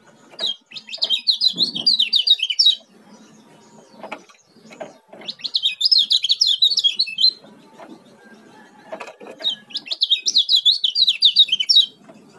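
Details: Lombok Oriental white-eye (kecial kuning) repeating its speedy song: three bursts of high, tumbling, twittering notes, each about two seconds long, spaced several seconds apart with low rustling and tapping between.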